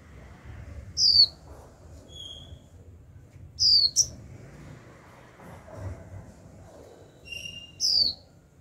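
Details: Young caged female white-eye uttering 'chíu' notes meant to trigger a male's song. Three high descending whistles, one with a quick double note, plus faint thin tones from other birds and low background noise.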